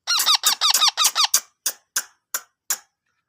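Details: Ringneck parrot giving six quick, loud harmonic calls, each bending up then down, then four shorter harsh squawks spaced about a third of a second apart before silence.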